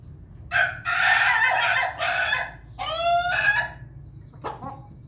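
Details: Pelung chicken at morning feeding: a loud, rough, harmonic-rich crow delivered in several bursts over about two seconds, then a second drawn-out phrase that rises and falls, and a brief short call near the end over low background rumble.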